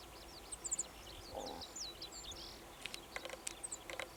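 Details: Chestnut-eared bunting in mid-May in Aomori, subdued after an Eastern marsh harrier came foraging overhead, gives a brief jumble of high, scratchy chirps, then sharp, quick clicking notes over faint rural hiss.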